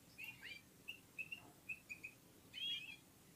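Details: Red-fronted serin (Serinus pusillus), Central Asia, warming up its song alongside other birds: a string of short, evenly spaced twittering notes ending in a louder buzzy trill.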